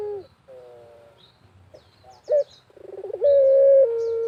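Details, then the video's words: Barbary dove, a lure bird in the Indonesian countryside, gives soft falling notes, a sharp rising flick and a rapid bubbling roll that builds into a loud sustained coo. Thin high chirps from other birds are scattered in the background. "BURUNG PUTER GACOR SAMPAI MEREM MELEK"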